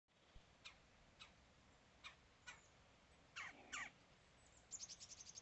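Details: A woodpecker, said to like peanut butter crackers, gives faint, sharp downward-sweeping call notes spaced irregularly, then a quick stuttering run of short high notes at the end, over a soft steady background hiss.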